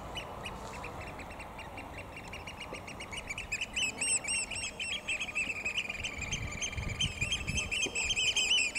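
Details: Several oystercatchers at the National Memorial Arboretum, possibly two males quarrelling over a female, pipe loud, shrill kleep notes in fast overlapping runs that build to an excited chorus, over a low rumble.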